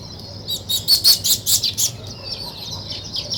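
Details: Weaver birds at work building a nest, giving a quick burst of sharp, high chirps, about eight notes in just over a second, followed by softer scattered twitters.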